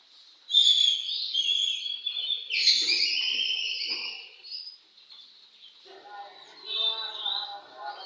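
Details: Oriental magpie-robin at a bird singing contest pours out a loud, dense run of whistles and harsh scratchy notes, then softer chattering with lower trills toward the end.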